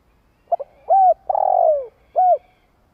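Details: Spotted dove giving a long coo used to stir other doves into calling: two quick low notes, then a rising-falling hoot, a long buzzy note sliding down, and a final clear hooted note, all mid-pitched.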